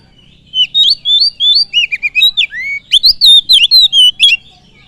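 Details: Oriental magpie-robin song for provoking other birds: an unbroken four-second stream of loud whistles, mixing wavering notes, a low falling slur, and piercing high flicks in rapid rhythm.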